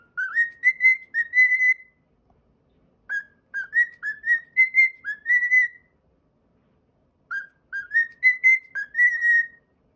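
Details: A pet cockatiel repeats its own whistled song in three phrases, each a quick chain of four to six pure, slightly rising whistles, separated by pauses of a second or more, with no other sound.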